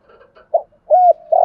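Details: Spotted dove giving its native-style calling coo, used to stir other doves into cooing: faint low murmurs, a short soft note, a clear arched coo, then a long burry note cut off at the end.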